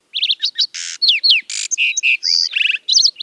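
A lark sparrow sings a fast, varied jumble of high notes: clear whistles and slurs mixed with buzzy bursts and quick trills, without a pause.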